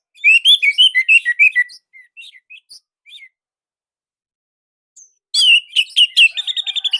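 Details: Orange-headed thrush, Indonesia, with a unique, tight and loud song used to train other birds: a run of rapid whistled notes, a few quiet chirps, silence, then a fast, strongly repeated phrase.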